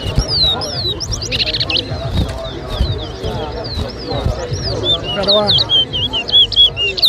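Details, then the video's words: Towa towa in a whistling showdown at Lusignan, Guyana, 2023: scattered looping whistles and a short buzzy trill, then a closing series of quick repeated whistled notes, with people talking over the bird throughout. "TOWA TOWA BIRD WHISTLING COMPETITION"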